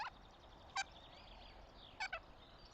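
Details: Goshawk nest in Tartu, Estonia, spring 2025: a single harsh harmonic bark followed after a pause by a quick double note, with distant small birds singing.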